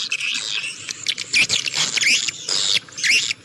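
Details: Swiftlet chatter, called clear and fit for any terrain: dense high twittering with rising chirped notes, broken by short pauses.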